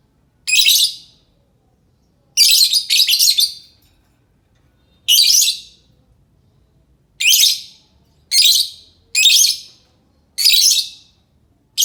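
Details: Lovebird calling as a lure for other lovebirds: sharp, high, scratchy screeches, some single and some in quick pairs, given irregularly about every one to two seconds in a clean, quiet setting.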